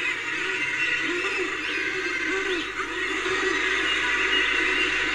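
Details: A dense chorus of common murres recorded at Reykjavik on 25 April 2024: overlapping low, groaning, rolling calls merge into a constant babbling roar throughout.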